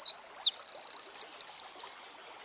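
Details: Eurasian wren song in a natural setting: two sharp high chirps, a buzzy fast rattling trill lasting about half a second, then a string of crisp repeated notes before stopping.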